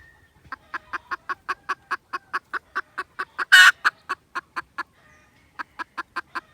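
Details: Red junglefowl recorded 16 December 2021 giving a long even sequence of clipped clucks, a loud rasping burst partway through, then a pause and more clucks.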